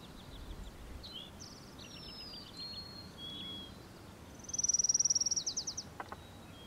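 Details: A singing Orange-crowned warbler in Glen Alps, Chugach State Park, Anchorage, Alaska, gives a loud, high, rapid trill that slows and drops slightly at the end. Earlier come fainter chips and trills from another Orange-crowned Warbler, a Lincoln's Sparrow, a Hermit Thrush and a Golden-crowned Sparrow.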